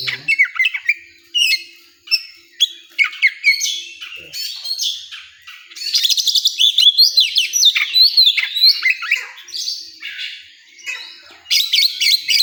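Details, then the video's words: Oriental magpie-robin at a singing contest area, giving spaced sharp chips that build into bursts of bright, rapid whistles and buzzy trills, with brief gaps between phrases. "Suara kacer di area lomba"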